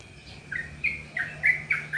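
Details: Yellow-vented bulbul uttering a quick series of short bright chirps, about one every quarter second, over a faint steady high tone.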